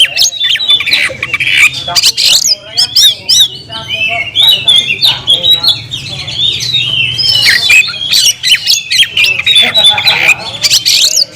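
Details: Oriental magpie-robin singing a challenge to a fighting rival: a dense, loud stream of varied whistles, harsh notes and rapid chatter, continuing without a break for over ten seconds.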